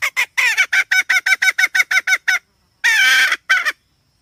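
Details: Hen calling: a rapid run of short, nasal, honking notes, about a dozen in two and a half seconds, then a pause followed by one longer harsh note and a final short one.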